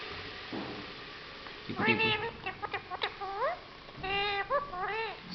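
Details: Talking parrot, said to speak four languages, utters a quick string of voiced, speech-like syllables with rising and bending inflections. A short faint sound comes first, with brief pauses between phrases.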